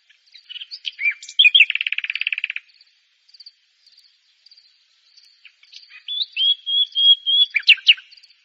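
A common nightingale sings a fast, dry rattling trill of rapid repeated notes, pauses with soft ticks, then gives a rich run of high whistled notes ending in sharp chirps.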